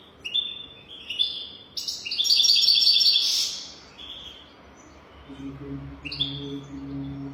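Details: Golden-throated European goldfinch song used for tutoring young birds: scattered high chirps lead into a loud, buzzy, rattling trill of about a second and a half, then more twittered notes over a faint low hum.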